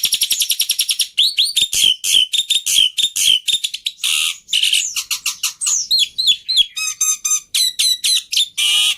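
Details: Black-winged myna tutor and lure song: a quick stuttering series of high notes opens, followed by varied whistles, buzzy bursts and tinny trills in rapid succession.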